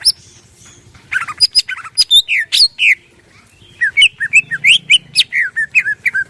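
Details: Greater green leafbird in varied morning song with crest erect, meant to draw other birds into singing: scattered sharp chips and slurred whistles building into a long run of quick downslurred notes, with faint low hum behind.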